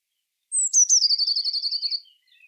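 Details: Song of the Eurasian blue tit: a thin high note gliding downward, two sharp accented notes, then a rapid trill of steady repeated notes lasting over a second and fading at the end.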